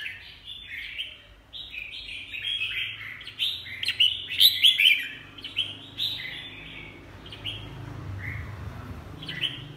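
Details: Bright bubbling song of a red-whiskered bulbul, a steady stream of quick warbled and slurred notes, loudest in the middle, over a soft low hum.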